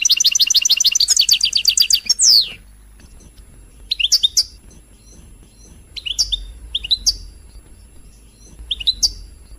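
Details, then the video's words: European goldfinch song meant to excite other birds into singing: a fast liquid twitter with a dense trill for two seconds, ending in a downward slur, then short sharp chirps spaced about a second apart. "تغريد الحسون الملكي 🔥🔥🔥🔥 لتهييج"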